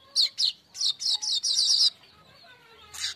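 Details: Streaked weaver lure song meant to get other birds singing: several high, harsh chirps run into a long buzzy rattle, then a brief pause and one more harsh burst.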